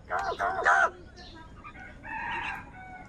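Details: Crows calling in the morning while searching for food: three rough, hoarse caws in quick succession open the sequence, followed by a softer, longer nasal call.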